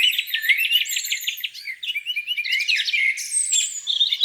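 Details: Birds singing by a lake on a spring morning: rapid trills and repeated whistled notes, overlapping high chirps and warbling phrases from more than one bird, steady throughout.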